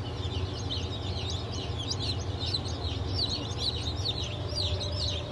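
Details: Newly hatched Brahma chicks in blue, black and porcelain colours, hatched 2 September 2023: a dense chorus of many high, thin, falling peeps repeated rapidly and overlapping, over a steady low machine-like hum.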